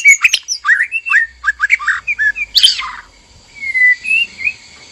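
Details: White-rumped shama, male and female in a breeding cage, calls meant to stir mating: choppy whistled notes and ticks, a harsh rasp, then a short pause before a long, clear, wavering whistle.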